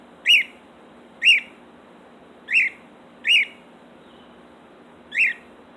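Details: A female pet cockatiel left alone in her cage outdoors gives loud, piercing rising-falling chirps roughly every second; the owner suspects she was alarmed by a falcon-like bird overhead.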